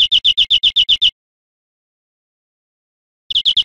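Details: European greenfinch singing on a cage-bird teaching recording: a quick trill of about nine sharp, identical high notes, a pause, then another trill beginning.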